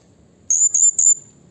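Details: Blue-crowned hanging parrot calling to provoke rivals: three loud, piercing, very high notes strung closely together, the final one drawn out and fading, against near silence.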